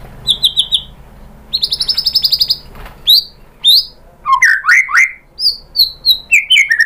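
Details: White-rumped shama song meant to provoke other birds to sing: rapid ticking trill bursts, a fast buzzy rattle, then a lively run of rich whistles and sliding notes in quick succession.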